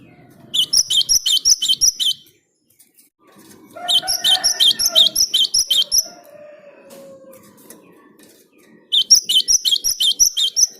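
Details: Java sparrow singing steadily to prompt other birds to join in, delivering three bursts of sharp, high chipping notes repeated almost three times a second, with lower drawn-out tones and soft background noise between bursts.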